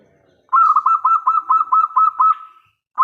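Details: Local zebra dove with a big voice, singing as a lure so other doves answer: one extended phrase of about eleven evenly paced, bubbling coos that ends in a smooth sustained tone.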